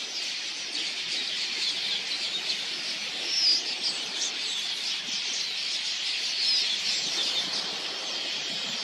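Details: Huge migratory flock of red-billed queleas swarming in to drink at a watering hole; a dense, continuous high chattering roar of countless twittering voices, with faint wingbeat rustle and a few clearer chirps standing out.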